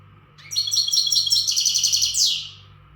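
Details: European goldfinch, a Western goldfinch not tutored by recordings, singing a strong readiness song: one continuous high twittering phrase of fast buzzy trills and liquid notes lasting about two seconds, ending in a descending sweep, over a faint low hum.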